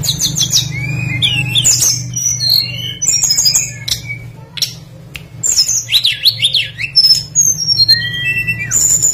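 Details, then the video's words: Tledekan flycatcher in full song as a lure for other birds: a dense stream of high whistles, twitters, zigzag slurs and downward whistled runs, briefly pausing midway, with a steady low hum. "PANCINGAN BURUNG TLEDEKAN PASTOL GACOR FULL ISIAN LANGSUNG IKUT BUNYI"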